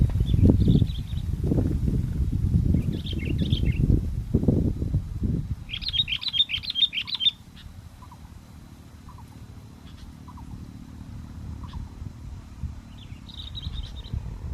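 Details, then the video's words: Sooty-headed bulbul still singing actively despite strong wind, recorded during bird luring: scattered bursts of bright, rapid chirping notes, one lively cluster in the middle, with loud wind rumble at the start and fainter wind later. "pikat kutilang walaupun angin kencang tetap gacor"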